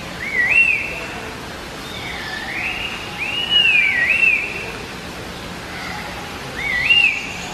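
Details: A laughingthrush of the genus Trochalopteron gives clear, loud whistled phrases that swoop up and down, three times over about seven seconds, with a faint hiss behind.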